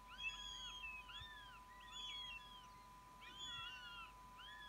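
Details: Northern goshawk fledgling, already out of the nest, returning to grab food: loud, arching, harmonic wails repeated about every second, rising then falling, with a constant low hum behind.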